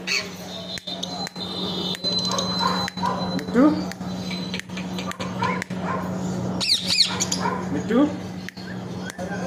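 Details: Talking parrot producing a run of speech-like syllables with a few rising whistled notes near the end, over a steady low electrical hum.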